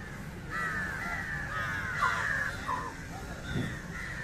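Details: Drawn-out, grating caws of an Indian jungle crow (Corvus culminatus) at a fish meal, run together in a rough continuous series.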